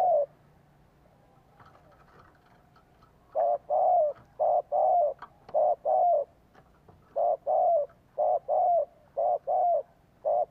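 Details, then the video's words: Spotted dove calling as a lure, used to bring in birds and stimulate kept doves to coo: after a quiet start, a rapid run of about fifteen short, mellow, evenly repeated coo notes with slight pauses. "Chim cu gáy kích bổi Chiêu Thúc rước bổi nhập tàn - Kích chim nhà nghe nhanh gáy theo"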